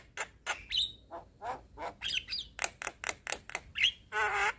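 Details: Young Javan myna in full song for training other mynas: spaced harsh notes and clicks, a few clear whistles, ending in a loud buzzy rattle.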